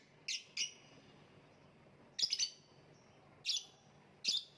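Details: Lovebird in a hanging cage giving short, sharp, high chirps in pairs and singles, spaced by pauses of about a second, over a quiet low hum.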